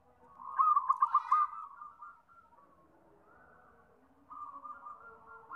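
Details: Zebra dove song: a loud, fast stuttering trill of about six pulsed coos, then a long quieter drawn-out coo and another soft trailing phrase.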